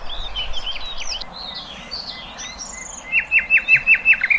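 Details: Free-living birds giving mixed high whistles and chirps, followed by a clear burst of six quick, evenly spaced ringing notes that grow louder.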